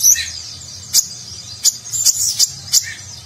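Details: Brief stretch of Nagen-style konin sunbird song with luxurious filler, made as tutor material for competition birds: high, sharp chirps spaced irregularly over a soft continuous twitter.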